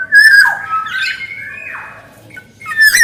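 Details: Black-naped oriole, male and female voices, with slurred whistles gliding down and up, a brief harsh rasp, and a long level whistle fading out before another loud phrase begins.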